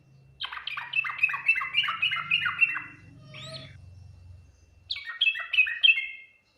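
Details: Yellow-vented bulbul giving its full Ngriwik Nguplik Tuklik-Tuklik song, which is said to quickly draw replies from other bulbuls: a run of bright, repeated downslurred chirps, a pause with a soft low hum, then another chirping burst.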